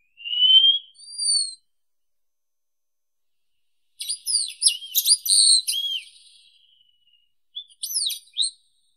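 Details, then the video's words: Wallcreeper song: a clear rising whistle, then a higher drawn-out whistle, followed after a pause by a rapid, complex run of high twittering and sliding notes, ending with a few short high notes; no other sounds. "Голоса птиц Как поёт Стенолаз (Tichodroma muraria)"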